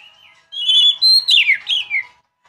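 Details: Young Oriental magpie-robin giving a brief burst of song: a quiet steady whistle, then a sustained bright whistled note followed by quick downslurred, slightly buzzy whistles, all within about one and a half seconds against silence.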